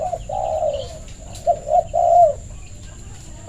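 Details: Trained decoy spotted dove calling to invite others to play, giving a long soft coo followed by a gap and then a quick run of three rounded, slightly falling coos, over a low background hum.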